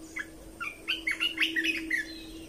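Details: Training song of a red-whiskered bulbul, played so young birds learn and birds get excited: a lively, continuous string of bright whistled and warbled notes, rising and dropping, with a low steady hum underneath.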